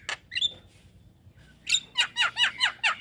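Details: Javan myna master song for tutoring young birds: a few sharp notes and a thin whistle, a pause, then a fast series of five or six squeaky, downward-sweeping chirps.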